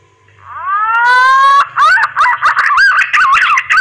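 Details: Green pigeon mating call, used for luring birds: a long rising whistle with strong overtones, then a quick run of wavering, looping whistled notes repeated several times a second.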